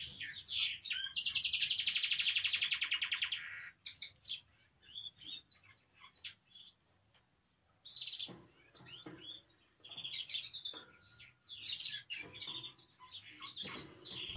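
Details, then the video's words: Spanish timbrado canary singing, for song learning: a loud, dense rolled trill for about three and a half seconds, then a pause and a series of shorter chirped and whistled phrases. "CANARIO CANTANDO"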